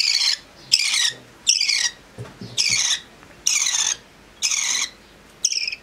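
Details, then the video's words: Budgerigar mother feeding her chicks: harsh, raspy high bursts about half a second long, repeated roughly once a second with short gaps, plus faint low rustling between bursts. "شاهد عصافير البادجي كيف تطعم الأم صغارها"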